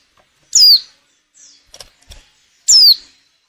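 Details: Two piercing, high descending calls from a female white-eye in breeding condition, used to draw males into song for luring, with faint rustling and small knocks between them.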